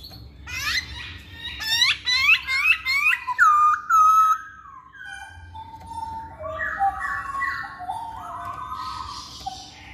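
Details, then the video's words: Masked laughingthrush, a lure to make males sing: harsh, rapid chattering notes that break into loud descending whistles, followed by softer, lower warbled phrases and faint background hiss. "Poksay Hongkong Jantan Manapun Pasti Nyaut Saat Dengar Pancingan ini"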